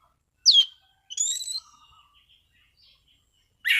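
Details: Orange-sided thrush, a caged songbird, singing in a relaxed, clear style: a sharp falling whistle, then a brief buzzy warbled phrase and faint soft twitters, with another loud note cut off at the end.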